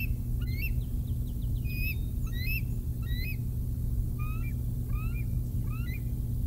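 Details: Young bald eagles at the Decorah North nest around 6:45 am, an adult delivering a fish; repeated thin, upslurred whistled calls and chatter roughly every second over constant low wind rumble.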